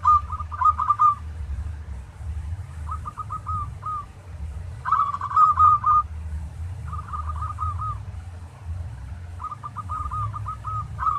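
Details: Local zebra dove, a master recording used to train other doves to sing: rapid trilled phrases of short rising-falling notes, ending in a longer drawn note, repeated about every two seconds, over a low steady hum.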